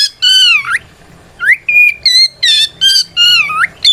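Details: Singing white-rumped shama, its combative song meant to make silent or stalled shamas respond: loud harmonic whistles curving down then up, short flat notes and clipped bursts, roughly evenly spaced.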